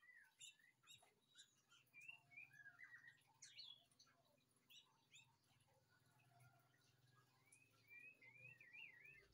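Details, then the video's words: Rather quiet white-rumped shama song, scattered clicks and short whistles followed by looping warbled phrases and a wavering trill near the end, beneath a low continuous hum. "murai batu teman ngopi //bikin rileksasi"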